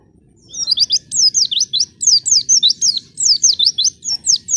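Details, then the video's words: Lure song of a white-eye, meant to get untrained white-eyes singing fast: after a quiet start, a continuous run of sharp, high slurred whistles, each note quickly rising and falling, delivered at a brisk, steady pace. "Pancingan Pleci Paling Handal Bikin Pleci Bahan Cepat Bunyi"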